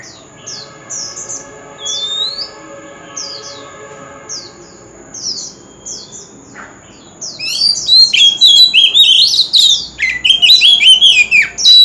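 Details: Oriental magpie-robin song, used as a strong lure to stir young birds into singing: a steady run of short, sharp descending whistles at first, then a dense, loud outburst of tumbling, warbled notes; a thin high tone hums underneath.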